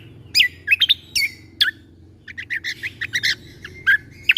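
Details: Greater green leafbird tutor song for young shamas, 'tembakan' character: loud swooping whistles dropping in pitch, a short quiet gap, then a busy jumble of quick chirps and a sustained thin whistle.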